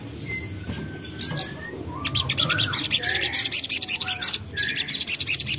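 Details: Young common iora in continuous song, used as a lure for untrained birds: lower drawn-out whistles mixed with fast, high buzzy chatter, growing busier through the second half.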